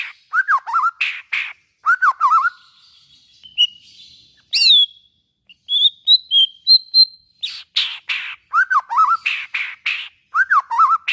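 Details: White-rumped shama singing to stimulate other shamas: looping slurred whistles with harsh bursts, a quieter passage of thin high whistles and upslurs, then the rasping and looping phrases return.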